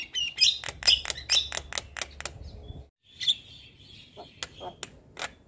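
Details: Javan myna in non-stop vigorous chatter, used as tutor material for training birds: a rapid run of sharp high clicks and whistles roughly twice a second, a short pause, then scattered whistled notes and chips.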